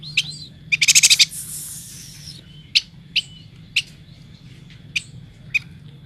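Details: Yuhina, described as endemic to Kalimantan, singing vigorously: a rapid buzzy trilled burst of about seven notes near the start, followed by sharp, high, separate chirps spaced roughly half a second to a second apart.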